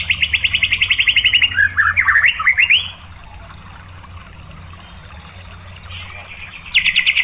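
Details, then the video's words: Lure song of the white-rumped shama, 'tembakan' style, meant to provoke rival shamas: a quick rattling run of repeated notes, then a few tumbling phrases, about four seconds of near quiet, and a new rapid burst at the end. "SUARA MURAI BATU FULL TEMBAKAN ¦ PANCINGAN MURAI ¦ SHAMA BIRD"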